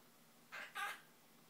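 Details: Captive Quaker parrot mimicking "bye bye" among learned words and songs. A brief, scratchy, speech-like double syllable, the second louder than the first, then quiet room background.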